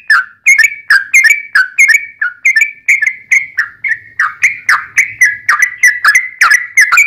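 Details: Lure recording of a yellow-vented bulbul in full fighting song with long 'ropel' rolls, played to draw answers from other bulbuls: an unbroken stream of quick, bubbly, slightly descending chirped notes, several per second, loud and steady throughout.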